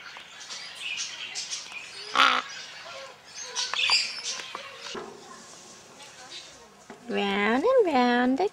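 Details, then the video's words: Caged pet Red-sided Eclectus parrot, a male hatched in February 2008, being tickled. Scattered clicks and murmured chatter lead into a loud, wavering, nasal vocal phrase that rises and falls twice near the end. "Eclectus Parrot Talking"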